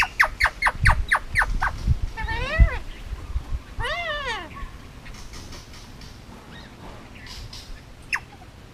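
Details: Male Indian ringneck, hand-raised on Oahu, Hawaii, about two years old, rattles off a quick series of short notes, then two drawn-out wavering, speech-like phrases over low background rumble.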